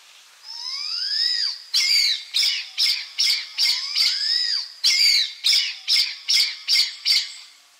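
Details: Blood pheasant singing and calling: two long, thin whistled notes slide upward then dip at the end, each followed by a run of short, harsh, evenly spaced squawks, about six per burst.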